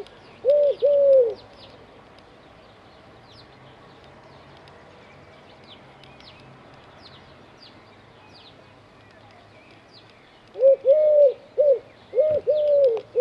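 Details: Eurasian collared dove sitting on an antenna in Dzierżoniów gives one soft three-note coo, falls silent for several seconds, then resumes with two more coo phrases. Faint background hum.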